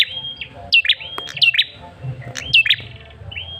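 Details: Male red-headed tailorbird used to draw a response: flat whistled notes each followed by sharp downslurred chirps in pairs, repeated several times with light clicks and low hum beneath.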